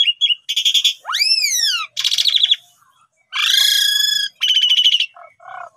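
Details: Asian pied starling, song used to train starlings: pulsed harsh bursts alternate with arching whistled slurs and long grating rasps, separated by short gaps.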